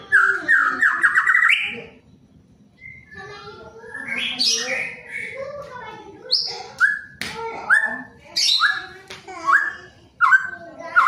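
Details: Male white-rumped shama singing a varied song full of surprise material: a fast run of repeated bright notes, then scattered whistled phrases, sharp upswept notes and rapid trills at shifting pitches, with short gaps between bursts.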